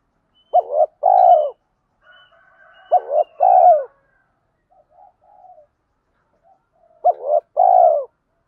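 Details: Spotted doves of both sexes calling, recorded to rouse trained doves for calling contests. Three phrases arrive about every three seconds, each a quick doubled note and a long rolling coo.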